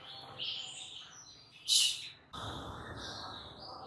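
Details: White-rumped shama song used as a lure meant to provoke any other shama into agitation; clear high whistled phrases held and shifting in pitch, a sharp harsh burst midway, then a steady background hiss under further whistles.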